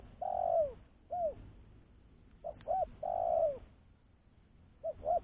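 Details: Spotted dove kept for luring wild doves, repeating its coo phrase: a long drawn, downslurred coo followed by shorter arched coos, the pattern starting again after a pause.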